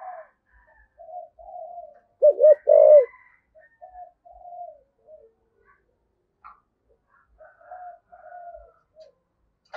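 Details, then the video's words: Spotted dove giving a 'giọng thổ' luring call: quiet, breathy coos broken by a burst of three loud, rounded notes in the middle, then more soft, trailing coos; a few faint clicks. "cu gáy giọng thổ, cu gay giong tho cuc dinh gay gọi"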